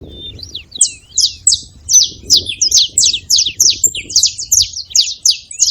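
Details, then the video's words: Wild Saffron finches gathered at a feeding spot, calling noisily: a fast, overlapping series of sharp, high chirps and short downslurred notes, about three per second, over a soft low rumble. "Canarinhos fazendo barulho na seva"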